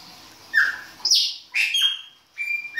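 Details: Chopi blackbird singing in the baianinho style during winter: separate clear whistled notes, a steady mid-pitched whistle followed by higher sliding, buzzy phrases with short pauses between them.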